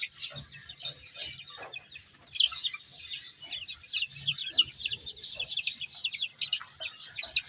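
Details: Young chickens feeding and playing; scattered high peeps at first, then a busier stretch of quick descending chirps from several chicks, with light pecking knocks and rustle below.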